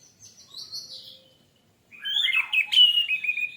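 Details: Orange-headed thrush singing as a trigger for other birds: faint high whistles at first, a quiet gap, then a dense, loud jumble of rich warbled and chattering phrases.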